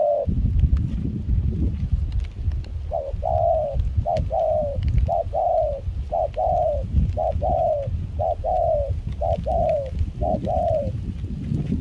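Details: Spotted dove decoy in Kon Tum, Vietnam, calling during rain and cool wind while used to lure wild doves; mixed foreign-style voice. Steady series of soft, slightly rising coos after a gusty start, wind rumbling underneath.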